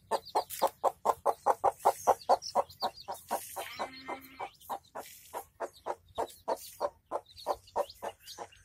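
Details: Village hen accompanied by chicks, clucking fast and rhythmically in short low bursts, with a brief scuffling rustle midway and scattered high-pitched chick peeps over the top.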